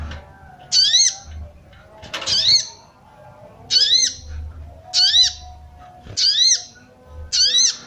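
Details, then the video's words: Female sooty-headed bulbul calling to arouse males. Six harsh, buzzy squawks at irregular gaps of about one to one and a half seconds, with a brief noisy burst and low thumps in the background. "SOGON BETINA MANCING BIRAHI SOGON JANTAN"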